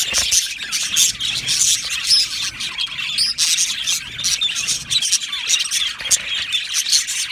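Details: Aviary full of budgerigars chattering: overlapping chirps, rolling warbles and sharp squawks in a thick high-pitched chorus, loudness pulsing in short waves.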